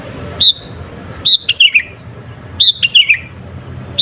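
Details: Clear whistled song of a sooty-headed bulbul, meant to stir up rival birds: a lone note, then phrases of three or four notes stepping downward, repeated after about a second and a half; low hum behind.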